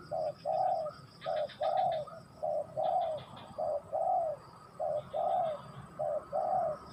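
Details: Spotted dove singing soft, hollow coos that alternate between a brief note and a longer, slightly falling one, in an even rhythm, with faint chirping of other small birds behind.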